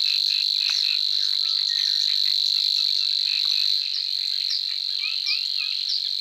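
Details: Savi's warbler reeling without a break: a steady, insect-like high buzz runs the whole time. Scattered whistles and short chirps from other birds sound over it.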